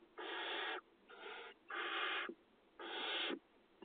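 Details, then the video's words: Nest-box Barn owl chicks begging while fed in farmland, Israel, 2020 breeding season; three loud rasping hisses of about 0.6 seconds each, separated by short pauses, a fourth starting at the end. "האכלת גוזלי תנשמות, קינון 2020"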